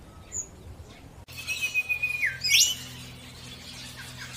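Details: Orange-breasted bunting in the morning: a long level whistle followed by a sharp rising sweep and a few quick chirps, over a steady low hum.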